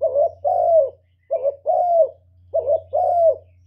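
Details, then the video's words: Decoy spotted dove calling to attract other doves, giving three two-part coos in quick succession, a brief mellow note then a drawn-out, gently descending coo, with a constant faint low hum beneath. "CU GÁY KÍCH BỔI MỚI NHẤT, TIẾNG CHIM CU MỒI CỰC CHẤT, CU GÁY THÚC GÙ, CU GÁY CHIÊU GÙ"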